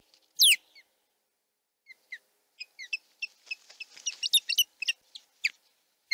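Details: Male osprey at its Chesapeake nest defending it as the female comes and goes, morning; one loud slurred squeal, then scattered short whistled chirps growing denser and louder, ending in a further squeal.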